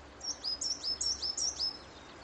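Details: Coal tit singing by the Mero river: a rapid run of thin, high two-note phrases, about six quick repeats within two seconds, each note sliding slightly downward, over a faint low background hum.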